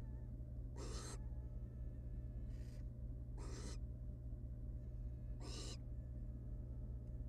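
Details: Barn owl nest with a female and three hatched nestlings being fed by both parents; four rasping, noisy hiss-like screeches spaced irregularly over seven seconds, against a constant low electrical hum.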